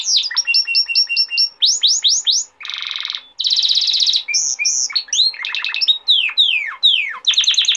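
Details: Varied canary song from a male used for teaching young birds and courting females: rapid repeated chirps, swooping whistles, two buzzy trills, then quick clear falling notes, each phrase changing every second or so.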